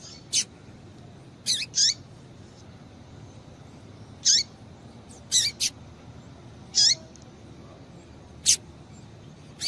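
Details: Female double-collared seedeater calling to excite a male: high, thin chirps with downward tails, some in quick pairs, spread irregularly with pauses of one to two seconds.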